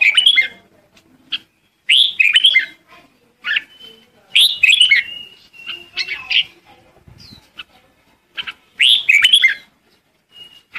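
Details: Red-whiskered bulbul calling the flock with loud, rich warbled phrases recurring every couple of seconds, interspersed with softer chirps and a thin sustained whistle in the background.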